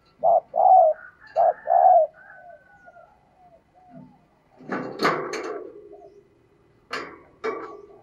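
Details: Hen spotted dove calling to rouse males: four strong coos in two pairs, then fading soft notes, followed by sharp broadband clattering knocks.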